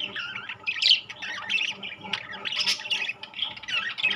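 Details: Budgerigars, rainbow and classic types together, keeping up nonstop grating chatter of raspy squawks and quick twittering notes, with several louder harsh calls standing out.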